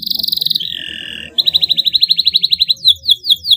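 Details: Canary song used to stimulate other canaries to sing: a fast trill of high repeated notes, then a steady buzzy tone, then another rapid trill and a few descending whistled slurs.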